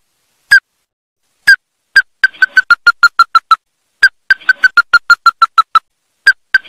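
Ruddy-breasted Crake: spaced, hard, hollow 'tewk' notes that speed up into quick runs of about ten, each run slightly falling in pitch.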